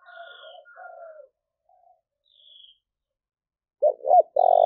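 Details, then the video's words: Spotted dove call for luring wild doves: quieter buzzy calls and high whistles first, then a loud doubled coo leading into a long vibrating croo that runs to the end. "cu gáy// tieng cu gay thuc boi ve coi hiệu quả nhất"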